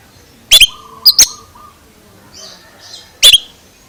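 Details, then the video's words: Strange-sounding Oriental magpie-robin: a double sharp chirp, a pair of clipped whistled notes, then a pause with soft high murmurs before another hard double chirp. "Suara ANEH Kacer ini Bikin HERAN"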